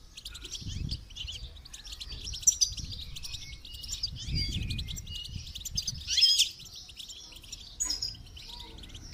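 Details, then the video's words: Goldfinch singing for song training: a continuous, chattering, high twitter with buzzy trills and occasional sharp, louder notes, over soft low background rumbles. "training goldfinch to song"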